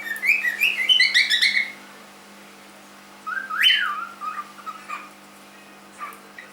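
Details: Rapid chirpy warbling from a three-month-old pet cockatiel for nearly two seconds, then after a gap a loud rising-falling whistle and a few softer short notes, with a faint hum underneath.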